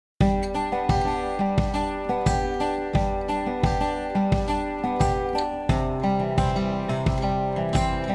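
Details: Strummed acoustic guitar music plays steadily throughout, with no animal voice audible.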